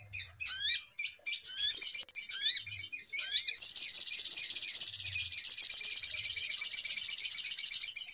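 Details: Little spiderhunter call used as a trapping lure: sharp chips and rising slurred whistles in quick groups, then a continuous, very high, fast chattering trill.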